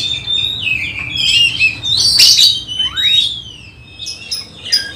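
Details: Magpie-robin being tested before a songbird competition, singing sharp whistles and a loud scratchy burst, then a long rising sweep and thin high notes, over soft background noise.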